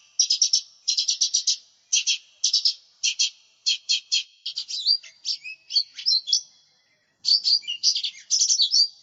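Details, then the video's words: Lesser green leafbird in vigorous song for luring and tutoring: fast buzzy stuttered bursts that turn into mixed whistled twists and chirps, a brief pause, then more rapid chattering phrases. "Cucak Ijo Mini Gacor, Suara Pikat, Masteran"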